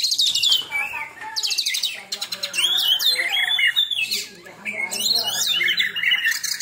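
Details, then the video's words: Oriental magpie-robin (kacer), a caged songbird that has just moulted for the first time, singing loud dense bursts of high rattling trills mixed with twisting whistled notes, nearly nonstop. "Tembakan Kacer Super Pedas"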